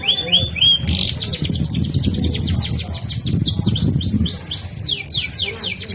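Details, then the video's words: Canary singing a fast rolling song: a few clear descending whistles, then long rapid trills of downward-sweeping notes high in pitch, with low background rumble throughout. "kenari ngerol terusss gacor dor"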